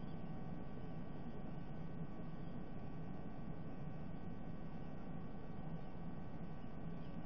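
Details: Even electrical hum and static with a deep, continuous rumble and no animal voice.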